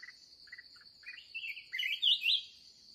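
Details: Red-whiskered bulbul, a fiery wild bird met during an end-of-day trapping session, gives short chirpy phrases that build into louder warbled, rising-and-falling notes. A steady high insect-like drone runs throughout.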